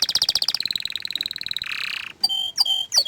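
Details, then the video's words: Orange frost canary with a fast chattering trill that shifts into a lower, humming roll, then a few clear whistled notes. "Kenari Oren Frost ini Ingin Menunjukan Kicauan nya yang Mantul"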